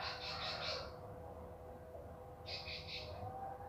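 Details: Bar-winged prinia song: two short bursts of quick buzzy repeated notes, separated by a pause of about a second and a half, over a low background hum.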